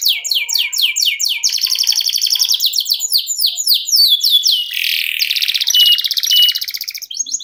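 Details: Canary (kenari) kept as a contest and tutor songbird, delivering a long continuous ngerol song: fast strings of downward-sweeping whistles shifting into buzzy rolling trills and dense chattering phrases with hardly any break, bright and high-pitched throughout.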